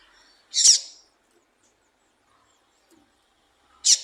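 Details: Calls of a female Yellow-bellied Seedeater (papa-capim), used to stimulate males: two short, bright, high chips roughly three seconds apart in otherwise quiet surroundings.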